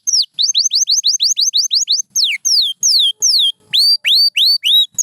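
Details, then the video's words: White canary delivering a fast run of high rising-then-falling notes, then longer descending slurs and widely spaced upswept whistles, with faint clicks underneath. "Beautiful Chirping by a Pure White Canary"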